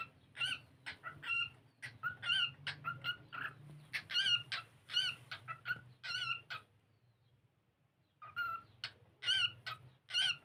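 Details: Cockatiel singing and playing, a learning bird that also dances: a long, fast string of crisp harmonic chirps and warbles, a pause of nearly a second, then more bright notes, with a constant low hum underneath.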